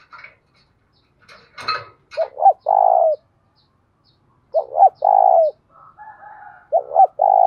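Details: Decoy spotted dove used to provoke wild doves into cooing; a few sharp clicks open, then three deep phrases of two brief notes leading into a long, steady coo.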